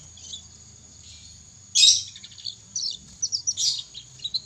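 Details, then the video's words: Practice singing by a young canary: after a quiet start, a loud harsh note, then a series of short high chirps and scratchy fragments, speeding up toward the end. A faint continuous high tone is present. "Burung kenari muda belajar ngriwik"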